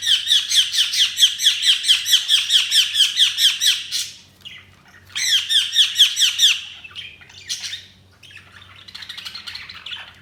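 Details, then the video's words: Budgerigars chirping in fast rhythmic series, about two notes a second for four seconds, pausing, then another quick run and softer scratchy chatter. "Budgies Sounds| Budgies Chirping sound"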